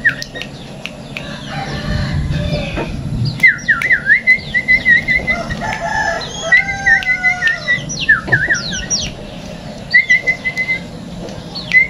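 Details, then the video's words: Tame sooty-headed bulbul kept in a cage, delivering bursts of quick, wavering whistled notes at an even pitch, repeated in short phrases, mixed with higher sharp chirps and a low background hum. "Burung Kutilang Yang Jinak Supaya Suaranya Gacor"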